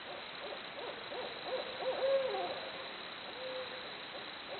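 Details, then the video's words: Barred owls trade wavering, hollow hoots and short drawn-out notes in a jungle-like chorus, fairly faint against a steady background hiss. "Barred Owls Hooting Away Making Jungle Noises"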